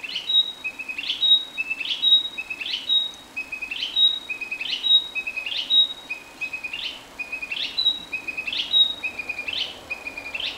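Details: Narcissus flycatcher song recorded around urban Tokushima, Japan: a short two-part whistled phrase, a low note then a sharp high one, repeated steadily about once a second.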